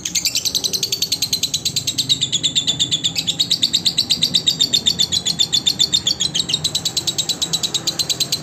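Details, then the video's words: Lovebird song meant for training other lovebirds: a long, continuous run of piercing, rapidly repeated chirps with a warbling, wavering pitch, steady in loudness throughout. "SUARA BURUNG LOVE BIRD COCOK UNTUK MASTERAN SEMUA BURUNG LOVE BIRD"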